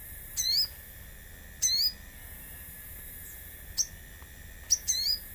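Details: Common iora song used as a lure with nature sounds: two rising whistled notes with harmonics, then short sharp chips and a final doubled note, all high-pitched over a constant hiss.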